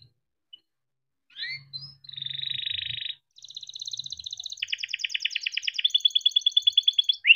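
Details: Canary in full long rolling song, played as a lure to get other canaries singing: a few slurred chirps, then sustained buzzy trills and fast rattling rolls of rapidly repeated notes, speeding up and growing louder toward the end.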